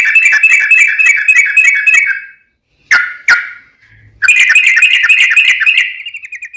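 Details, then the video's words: Yellow-vented bulbul singing a long rapid-fire song, used as a lure to get other bulbuls singing; fast buzzy chatter, a pause with two sharp notes, then another sustained bubbling trill that fades at the end. "trucukan gacor ROPEL PANJANG buat pancingan trucukan agar bunyi"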